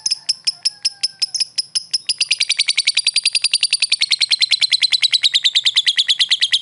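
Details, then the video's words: Lovebird calling a rival: a rapid series of sharp, high chirps, slower and spaced for two seconds, then speeding into a dense, even chatter of about three notes per second and more, sliding slightly lower in pitch toward the end. "suara burung lovebird memanggil lawan"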